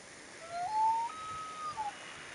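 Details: Common loon with its chick on a June 2, 2015 morning, giving one clear, mournful whistled wail that climbs in steps, holds a high steady note, then drops at the end over a quiet background.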